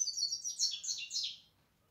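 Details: European goldfinch giving a short burst of tinkling, high twitters and slurred chips that stop abruptly after about one and a half seconds, leaving silence.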